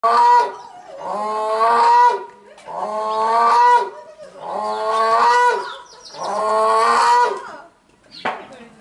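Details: Captive grey crowned crane, a 20-year-old bird at Yukyuzan Small Zoo, filmed 19 March 2023: four loud, rich, harmonic honking calls, each about a second long with a slight upward inflection, repeated roughly every 1.7 seconds, with a brief click near the end.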